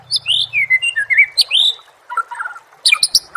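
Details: Murai, a songbird, in a training recording for songbirds: a quick run of bright, varied whistled and chirped phrases, with a low hum at the start, then scattered softer notes and sharp high chips near the end.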